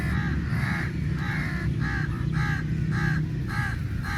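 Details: Crows in a big group squabble over meat at a feeding; hoarse caws repeat roughly twice a second, each a short harsh burst, above a constant deep background hum.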